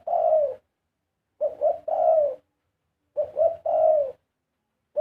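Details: Large dove giving its karam song, a drawn-out coo, then two phrases of two quick rising notes and a longer falling coo, evenly spaced.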